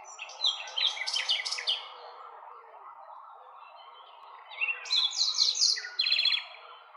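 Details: Nightingale song in two bursts: rapid clicking, churring phrases, a quiet pause, then loud stuttering trills and whistled notes, with a steady low hum in the background.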